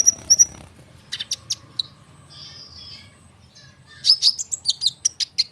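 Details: Konin bird in full, dense rolling song, used as a lure so sunbirds answer quickly. High, thin chirps open the phrase, a soft pause follows, then a fast burst of sharp whistled notes closes it.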